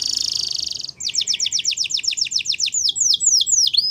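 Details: Waterslager canary song used for training: a brief rapid trill followed by a steady run of quick descending whistled strokes, then slower swooping notes.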